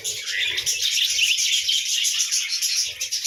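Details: Budgerigars at morning, bright overlapping whistled chirps and warbles forming an unbroken high chatter across the whole stretch.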